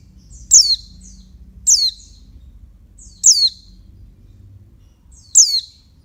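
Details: Female oriental white-eye calling to stimulate males: sharp high descending chirps with short trailing notes, four calls spaced about one to two seconds apart, with faint low hum beneath.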